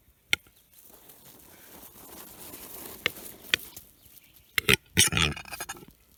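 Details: In Lääne-Nigula parish, Estonia, an angry capercaillie cock gives a few lone clicks over a low hiss, then a dense flurry of loud rasping snaps and guttural bursts near the end; April 2021.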